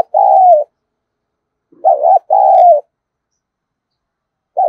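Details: Decoy spotted dove, giọng thổ voice, cooing to draw in wild doves: low phrases of a short doubled note and a long falling coo, about three phrases in under five seconds, with silence between them.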